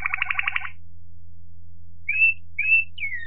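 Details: Waterslager Malinois canary, 2018: a short rapid rattling trill, a pause, then three clear whistled notes, the last sliding downward, with steady low hum.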